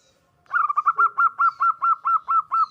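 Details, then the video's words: Local zebra dove singing actively, calling to companions; the call is used as a lure to draw other zebra doves. A brief fast start, then about ten soft, mellow cooing notes repeated evenly, roughly four per second. "Perkutut lokal gacor suara memanggil teman Ampuh dijadikan pancingan perkutut lain 100% ikut bunyi"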